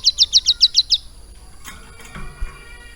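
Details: Hill prinia in a cage, trained to copy lovebird song, gives a short rapid series of seven sharp, high chirps, then falls silent apart from a few knocks and handling sounds.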